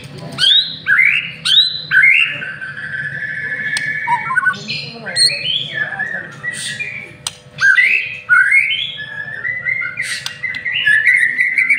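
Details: White-rumped shama, a master-trained bird, singing a lure song in a loud varied burst of whistled slurs, rising notes and buzzy phrases with sharp clicks, strongly patterned and continuous.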